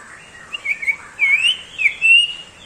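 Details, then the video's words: Common iora delivering a varied ngebrem phrase of looping, warbling whistles that slide up and down, with a few short chips at the start and a strong rising sweep near the end. "sirtu Ngebrem"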